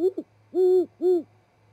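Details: Great horned owls, a mated pair in Charlo, Montana, calling to each other at dawn before going to their day roosts: a quick double hoot followed by two drawn-out, steady low hoots, with a faint rhythmic background hum.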